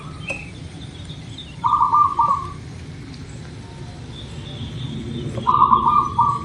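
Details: A local zebra dove gives two warbling, trilled coos several seconds apart, played to make birds start singing quickly. Steady low hum and faint higher bird calls fill the pauses.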